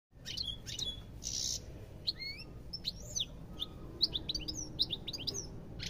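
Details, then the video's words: European goldfinch singing, with a lively run of quick twittering notes, short rising and falling whistled slurs and a brief buzzy burst near the start, all high-pitched and uneven in rhythm over low background hum. "ربع ساعة من تغريد طائر الحسون روعة"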